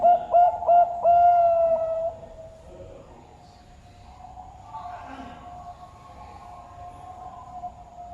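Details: A captive 2½-year-old male-unspecified zebra dove (perkutut) at a bird farm in Sidoarjo, East Java, sings three quick, soft mid-pitched coos then a longer rolling coo, about two seconds, before a faint background murmur.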